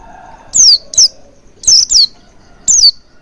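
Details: Oriental white-eye as a lure to make it sing: high thin chirps sliding downward, in two pairs and a single, with a faint low tone before the first.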